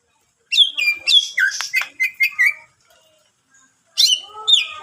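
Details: Greater green leafbird singing a rich, varied song to provoke other leafbirds into singing: bright sweeping whistles, quick chirps and buzzy trills in a dense two-second burst, a pause, then more twisting whistled phrases.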